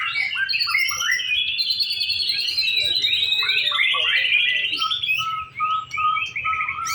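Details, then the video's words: White-rumped shama in a mock singing competition: energetic varied warbling and chattering, ending with a run of evenly repeated short whistled notes. "Simulasi lomba murai batu"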